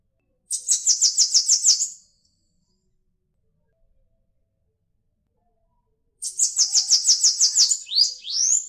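A Bananaquit gives two thin, very high buzzy songs, each a rapid run of about ten clipped notes; the second ends in a few rising slurs.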